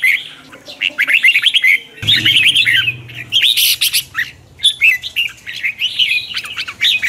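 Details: Red-whiskered bulbul singing in the morning, a twisting-voice lure song for training other birds and stirring wild-caught ones. Irregular warbled phrases of quick chirpy whistles, broken by short gaps, with a low rumble around the second and third seconds.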